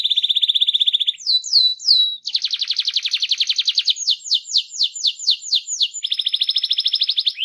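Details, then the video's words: Canary singing a fast rolling song to prompt other canaries, made of rapid trilled tours between about 2k and 8k, buzzy low rolls switching to repeated downslurred notes and back to a steady high trill, no other sounds. "RANSANG BURUNG KENARI CEPAT BUNYI GACOR DENGAN SUARA KENARI GACOR NGEROL INI!"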